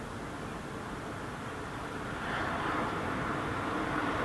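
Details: Steady broadband rumble of an aircraft or passing traffic, swelling louder halfway through, with no animal calls heard.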